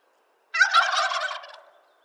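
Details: A single wild turkey gobble from eastern North America: a sudden, loud, bubbling rattle of fast pulses lasting about a second and tailing off, against complete quiet.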